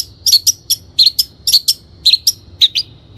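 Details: Lure recording of an energetically singing long-tailed shrike: quick doubled high notes with slightly rising whistled tails, about five double bursts in three seconds.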